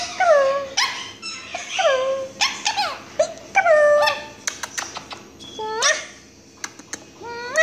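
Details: Quaker parakeet kept as a pet, calling out for its owner indoors; loud squealing notes that slide downward, repeated roughly every second with brief pauses, plus a few sharp clicks.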